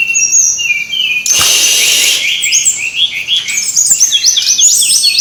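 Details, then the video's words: Brown-chested jungle flycatcher song played as a lure to make birds sing: steady high whistles, a loud hissing burst, then quick repeated rising-and-falling notes. "suara ribut burung srdc /pancingan suara burung srdc biar gacorrrrr"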